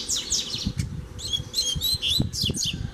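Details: Free double-collared seedeater challenging a caged bird, with quick falling twitters, then a run of bright, evenly repeated chirping notes, over low knocking and rustling sounds.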